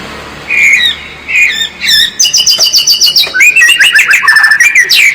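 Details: White-rumped shama singing in a training recording for a stressed bird that stopped singing: short whistled phrases, then a quick series of sharp, evenly spaced notes blending into varied warbling.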